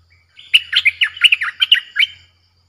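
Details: Streak-eared bulbul gives a fierce-sounding, quick, bubbly run of about ten bright chattering notes in under two seconds, rising and falling in pitch, over a faint low hum; the recording is used as a lure for wild bulbuls.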